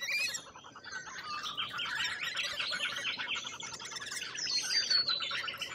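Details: Constant buzzy chatter from many lorikeets in Australia, a softer, blended wash of screeches with a few clearer squeals standing out near the end.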